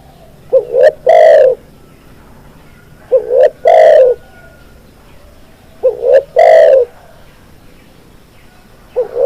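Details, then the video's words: Spotted dove (tekukur) cooing. Three phrases, each about 2.5 seconds apart: a short rising note, a quick click, then a long, loud, resonant coo. The background is quiet apart from a faint steady hum. "SUARA BURUNG TEKUKUR"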